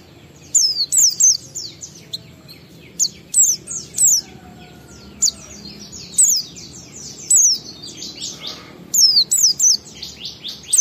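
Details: Oriental white-eye, a caged songbird, giving ngalas lure song to prompt other white-eyes to sing: repeated bursts of high falling whistles every second or so, mixed with softer twittering and a faint low hum.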